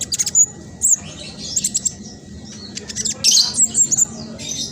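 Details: Black sunbird, spotted-phase singer used as a lure for silent birds: bursts of sharp high chips and thin whistles, a quieter pause, then a loud dense scratchy trill.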